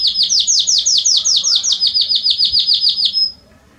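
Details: Rapid series of about fifteen bright, identical repeated notes over three seconds, each a short downward flick, ending abruptly into near silence; a Belgian canary in 'estourado' song used to warm up other canaries.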